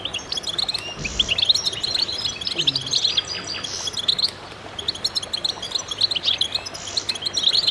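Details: Goldfinches singing as a chorus, a thick wash of high tinkling twitters and buzzy trills from many birds, briefly thinning midway before swelling again, with a couple of low knocks.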